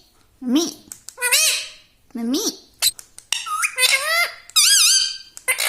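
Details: Pet parrot, a talking tota kept indoors, mimicking speech: several loud rasping, harmonic-rich syllables with rising and falling inflection, spaced irregularly like repeated words, in a quiet small room.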